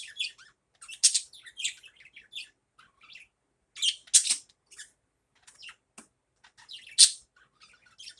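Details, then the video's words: In the morning a budgerigar chatters in uneven bursts of high, harsh chirps and warbles, with several louder squeaks spaced a few seconds apart. "Morning Budgie Fun"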